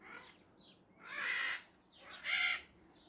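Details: Maritaca parrots calling: two harsh, raspy screeches about a second apart, each lasting around half a second, with softer chatter between them.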